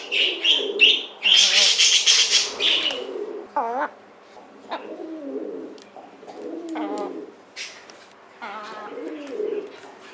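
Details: Pet Silkie chicken recorded 25 June 2024, its calling said to have changed after waking. Wavering, harmonic-rich calls rising and falling in short bursts near 4, 7 and 8.5 seconds, after an opening of dense high-pitched chirping from other birds.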